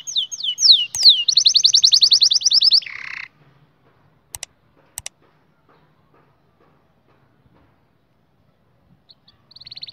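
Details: Young canaries are meant to learn from this canary song. A few sweeping whistles lead into a fast rolling trill and a buzzy note, then near silence broken by faint clicks and a soft trill at the end.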